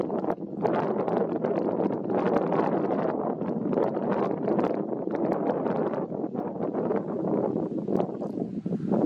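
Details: Steady, rough wind buffeting the microphone with rustling fills the whole stretch, and no animal sound comes through.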